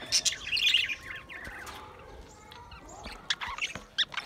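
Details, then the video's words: Pet budgerigars recorded 28 April 2023 burst into loud, fast warbling chatter, go quieter for about two seconds, then return with scattered sharp chirps. "lovely Budgies birds"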